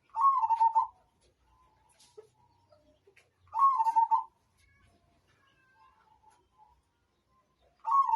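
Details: Perkutut, or zebra dove, of the Majapahit line, recorded as a tutor song. Three short, throaty, trilled coo phrases are spaced roughly three and a half seconds apart, with soft background ticks between them.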